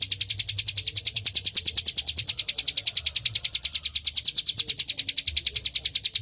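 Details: Bar-winged prinia singing, a recording meant for training songbirds; fast even train of high-pitched chipping notes, roughly three each second, with no pause, and a soft low background hum.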